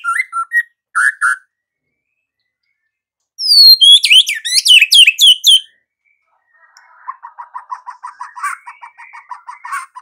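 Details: White-rumped shama in energetic song: short mellow whistles, a burst of very high sweeping notes, then a long run of fast, low chattering notes with a faint whistled overtone, separated by silent pauses.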